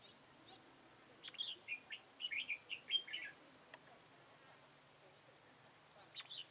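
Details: Red-whiskered bulbul used to lure birds into a trap, 13 October 2018: one lively run of about eight quick whistled notes, followed by a few faint, distant chirps.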